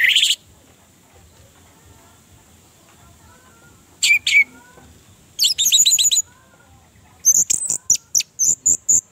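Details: Orange-headed thrush song played to prompt a silent kept bird to sing: scattered bursts of high, sharp, rapid notes separated by pauses, ending in a series of quick, evenly spaced high chips.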